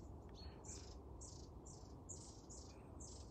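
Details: Several long-tailed tits calling at a feeder just over the camera; thin, high, short notes repeated roughly every quarter second over a steady low background rumble.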